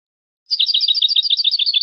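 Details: Goldfinch song: after a short silence, an unbroken stream of fast, tinkling paired chirps runs evenly to the end; no other sounds.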